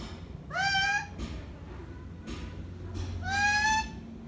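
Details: Pet green parrot vocalizing alone indoors: two drawn-out, nasal, meow-like calls that rise and then level off, separated by about two seconds of faint breathy sounds, over a low background hum.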